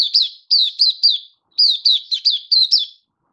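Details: Oriental white-eye giving a happy open-singing display recorded 24 February 2023; two clear runs of high, shrill, downward-sliding chirps, several notes each, separated by a short silence.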